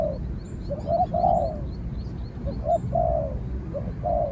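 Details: Spotted dove in a contest with another dove, giving low, hoarse coos in short phrases with pauses between them, while faint high chirps from small birds sound in the background.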